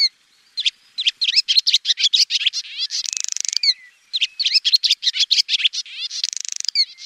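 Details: Swallow song of rapid chattering chirps broken by two dry buzzy rattles, with brief gliding whistles between phrases and no other sounds.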